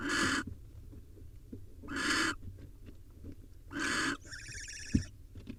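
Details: A male barn owl delivers a swallow to nestlings at a wild nest. Three quieter, harsh hissing screeches are spaced a couple of seconds apart, followed by a brief, higher rattling sound and a soft knock.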